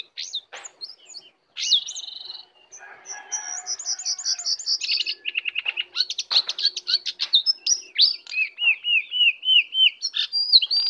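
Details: A wild Oriental magpie-robin arrives to attack, singing rising whistles, short chattering bursts, then quick repeated slurred notes and downward whistles that grow louder toward the end.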